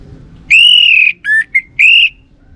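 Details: Close, loud orange-headed thrush phrase from Bali: a long, level clear whistle, two short lower notes, then another sustained whistle, all pure and ringing over faint low noise.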